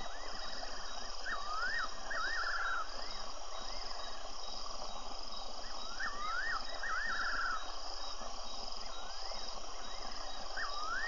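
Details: Wild fiery-necked nightjar on a Tembe webcam, February 24: looping rising-falling whistles, each phrase ending in a tremulous falling trill, repeated several times against constant background hiss and buzzing.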